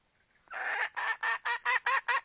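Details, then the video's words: A hen calling for a rooster opens with one long, hoarse squawk, followed by six shorter nasal squawks repeated at a steady pace of about three per second. "Poj qaib seev tsauj nrhiav lau แม่ไก่ร้องหาไก่ผู้"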